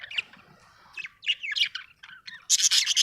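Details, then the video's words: Chirping budgerigar in a happy mood: rising, slurred chirps that build into a loud, dense burst of high chatter at the end. "happy budgie chirping sound"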